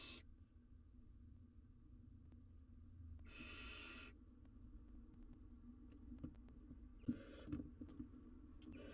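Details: Wild barn owl owlet on a live cam with a giant jird too big to eat. One clear, harsh hissing screech lasting about a second, a fainter rasp later, and scratchy rustling throughout.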